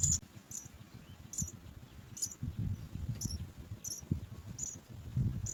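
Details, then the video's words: Three house sparrow chicks in a nest waiting to be fed give thin, very high cheeps in quick short bursts, about two a second, over a steady low rumble of background noise. "house-sparrow bird Watch the 3 babies wait to be fed"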